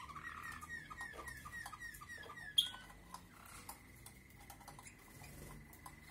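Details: A Waterslager (Malinois) canary sings a fast train of repeated, slightly falling notes, then a long, even, sustained tone; a single sharp click cuts in midway.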